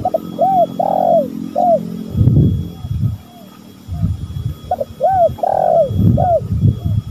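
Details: Spotted dove, male and female, calling as a lure: two repeated cooing phrases of short arched notes, each with a longer drawn-out coo, separated by bursts of low rumbling noise.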